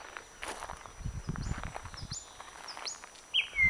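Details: Thrush Nightingale singing on the branches of a blooming bird cherry, 21 May 2009: a few faint, high, quick upslurred whistles repeated about every half second, then a brighter note, over soft rustling and low thumps.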